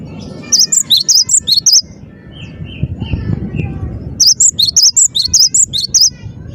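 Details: Singing Cinereous tit, locally gelatik batu, heard in gacor mode: quick high whistles alternating in pitch, a short break containing a few softer, lower whistled notes, then another energetic run of the same sharp phrases.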